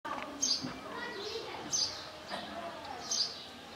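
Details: A Russet sparrow in the Kashmir valley gives short, thin, high chirps about every second and a half, over a steady murmur of background noise and faint voices.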